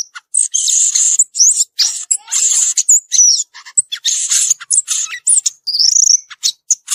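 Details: Violaceous euphonia in the wild, singing a dense, energetic stream of high buzzes, twittering chips and short slurred whistles with hardly a pause.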